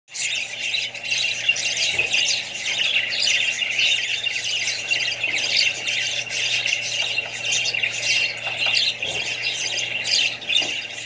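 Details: Budgerigars, described as Australian budgies kept with other birds and young ones, chattering continuously as a flock: dense overlapping squawks, chirps and warbles without pause, over a steady low electrical hum.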